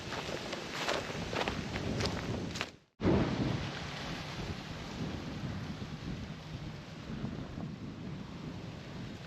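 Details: Dense rain-like hiss with scattered taps, briefly cut to silence near three seconds before resuming; no animal voices.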